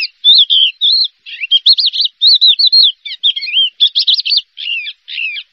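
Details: Javan bush lark, a champion contest singer, giving warbled phrases of rising and falling whistles and rapid chirps in short bursts with brief gaps.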